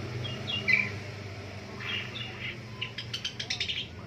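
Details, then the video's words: Long-tailed shrike in the morning giving soft, scattered squeaky notes, then a fast run of sharp clicking chatter near the end, with a faint low hum beneath. "DENGERIN PENTET BUNYI DI PAGI HARI"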